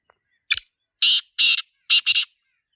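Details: A black francolin (Sindhi teetar), recorded in its natural environment, gives its harsh, grating call: a short opening note, then four loud rasping notes, the last two close together. Nothing else is heard.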